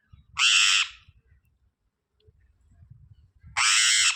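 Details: Parrot calling with two loud, raspy squawks about three seconds apart, each lasting under half a second, with soft low thumps and handling noise between them.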